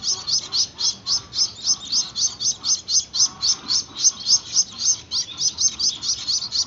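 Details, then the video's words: Young Gouldian finches begging while hand-fed: a fast, regular series of sharp, high-pitched chips, nearly four per second, continuing without a break. "Anakan burung Gould Amadine, lolohan burung kecil"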